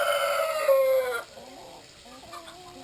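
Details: Tail of a Brahma rooster's crow, loud and harmonic for about a second, then the flock of Brahma chickens at water time continues with soft, low clucks and rising squawks.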